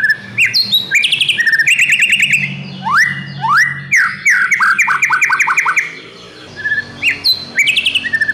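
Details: Young untrained white-rumped shama (murai batu bahan) in full, loud song: rapid varied phrases of rising whistles, fast repeated chirps and trills, with a brief pause midway, and low background hum.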